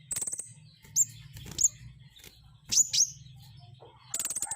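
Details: Flowerpecker singing: very high, thin buzzy trills at the start and end, with sharp downslurred ticks repeated between them, over a faint low hum.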